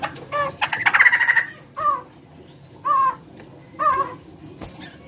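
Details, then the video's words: Bird with a large body and chicken-like voice: a fast rattling trill, then three well-spaced down-slurred harmonic notes about a second apart. "Suara burung gacor paling membagongkan"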